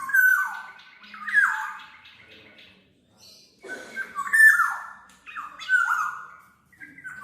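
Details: Repeated fluty song phrases from a black-naped oriole, meant as a lure or training recording: several mellow, downward-sliding whistles in bursts, separated by short pauses, with a faint scratchy sound between phrases.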